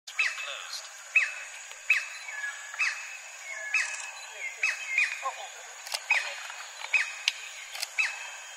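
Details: White-bellied woodpecker calling loudly from a large tree at the Rainforest Discovery Centre, Sepilok, Sandakan, Sabah: a steady series of sharp, high, downslurred notes repeated roughly every 0.7 seconds, with steady insect hum behind.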